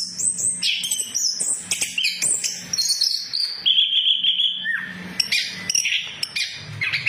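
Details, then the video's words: Orange-headed thrush lure song: quick high chirps giving way to a sustained trilled whistle, then a downslurred note and more scattered high notes, with a faint low hum underneath. "Pancingan Anis Kembang Macet, Anis kembang Macet Bunyi"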